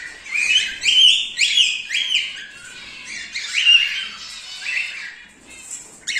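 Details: Silver male cockatiel giving a run of sharp, high chirps and short screechy notes in quick succession, then tapering into softer chatter.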